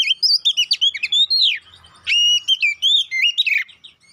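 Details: Kacer poci, Oriental magpie-robin, singing to provoke a fighting response: quick runs of bright looping whistles, a brief gap, then longer clear whistles and a final rising-falling flourish.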